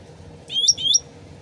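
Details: Sooty-headed bulbul, original voice as a lure recording: one brief burst of two bright, rising, whistled chirps, with trickling water in the background.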